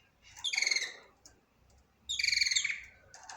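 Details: Budgerigar song heard as two loud, bright, buzzy chirps about a second and a half apart, each with a rapid pulsing warble, with quiet between them.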